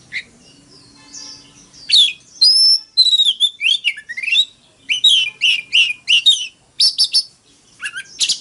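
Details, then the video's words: Oriental magpie-robin singing a fighting song in Vietnam: rapid varied whistled and scratchy phrases, rising and falling sweeps and short trills in quick bursts with brief pauses, loud and clear throughout. "Tiếng than mồi hót đấu"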